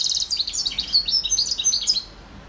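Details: A hybrid serin mule, 2021, gives a two-second run of rapid, thin, high-pitched tinkling and twittering notes, ending abruptly before quiet background.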